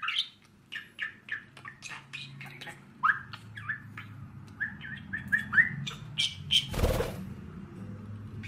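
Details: A five-year-old male pet budgerigar, Chappy's kind, keeps singing and dancing, warbling in a fast stream of chirps, squeaks and short whistled notes.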